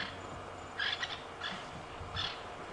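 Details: Francolin in African bush at sunset, disturbed by lions, alarm calls "churum": three harsh, grating bursts under half a second each, spaced half a second to a second apart, over steady low outdoor hiss.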